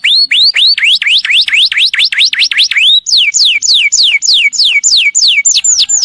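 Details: Canary, a long roller for tutoring other birds, repeating rising slurred whistles about four per second, then switching to a series of downward-swept whistles.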